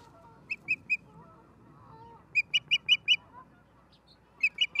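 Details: Ospreys at a nest in Charlo, Montana, on a live nature cam, 11 September 2023 at 16:04: short high whistled chirps in bursts of three, then five, then three, over faint lower tonal calls.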